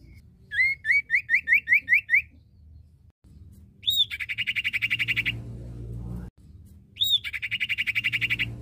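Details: Male and female common iora in full voice: about ten hooked whistled notes in quick succession, then twice a sharp rising note followed by a rapid, even buzzing trill.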